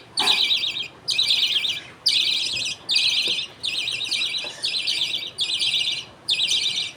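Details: Captive budgerigar family at feeding time, the father passing food paste to two young while others wait their turn; seven raspy, chattering high bursts come at a steady pace of about one per second.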